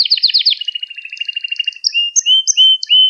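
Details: Canary lesson song for teaching young canaries: a quick rattling trill that softens into a long even pulse, followed by four rising slurred whistles spaced evenly.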